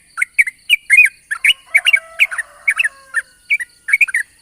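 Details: Yellow-vented bulbul in the morning delivering a rapid 'ropel' song meant to lure other bulbuls into song. Dense, chirpy, slurred notes with a faint steady tone underneath.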